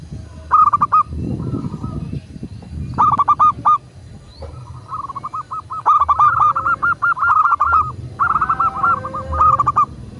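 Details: Local zebra dove whose song serves as a master recording to prompt kept doves to sing: rapid bursts of short, clipped, ringing coos in four loud phrases separated by pauses, with softer coo runs between and a low background rumble.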